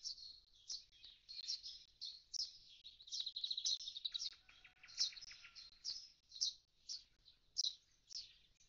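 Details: A common starling (Sturnus vulgaris) at its nest box, after the young have fledged, gives a fast run of high, scratchy chirps and clicks with a few thin descending whistles.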